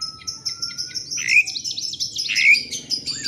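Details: Oriental magpie-robin lure song, the bird excited and seeking an opponent: a long thin steady whistle, then a dense tumble of high chirps and rising and falling slurred notes.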